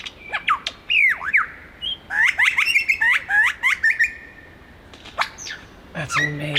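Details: Superb Lyrebird male singing as he moves between trees in Australia, pouring out a fast string of downslurred whistled notes and chattering phrases, then a buzzy burst at the end.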